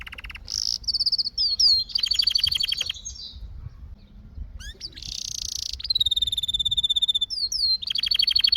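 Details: Canary song made of fast repeated chips, tight rolled trills and sliding whistles. It breaks off for about a second midway, then resumes with a held nasal buzz and a long level whistled tour.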